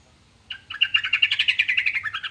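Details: Yellow-vented bulbul song, said to make any other bulbul answer at once: after a soft start, a fast bubbly chatter of rapid, slightly falling notes runs for nearly two seconds with a low hum beneath.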